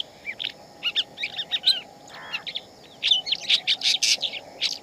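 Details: A shama singing in the wild gives rich, varied whistled phrases: quick sweet notes and chirps, a short buzzy note midway, then a denser burst of bright notes, over a steady low hum.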